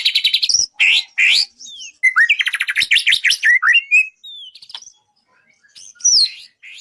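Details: Contest-training recording of a White-rumped shama: rich song of quick repeated high notes, sweeping upslurred whistles and rapid trilled passages, separated by short silences.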